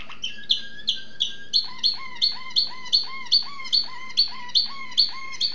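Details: Waterslager canary (Malinois) singing, recorded 2011: a repeated series of clear, water-like bubbling notes, each a quick rising-falling syllable, delivered about every half second over a low steady hum.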